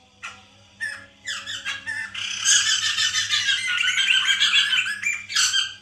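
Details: White-crested laughingthrush played to stimulate a caged bird to sing: a few sharp chips build into several seconds of continuous loud, raucous, laughing chatter, ending in a final harsh burst, with low hum behind.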